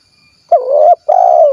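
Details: Loud, close coo of a spotted dove, 'kuk 1' type, recorded in Cilacap, Central Java. A short dipping, wavering first note is followed after a brief gap by a sustained, slightly falling hoot. No other sounds are heard.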